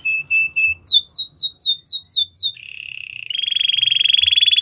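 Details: Song of a Belgian canary meant to train young canaries: a few short whistles, a run of rapid falling sweeps, then a low rolling trill rising into a higher sustained rattling trill.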